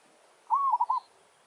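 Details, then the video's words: Village zebra dove's challenge song aimed at wild doves: one clear rising coo that flattens and breaks into three quick rolled pulses. "Merbok kampung - Anggar buat hal"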